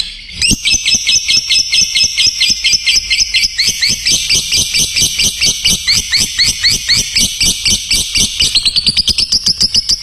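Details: Lovebird song used as a tutor recording for training other lovebirds: a long run of rapid, high, scratchy chirps repeated about twice a second, steady and unbroken, ending in a rising trill.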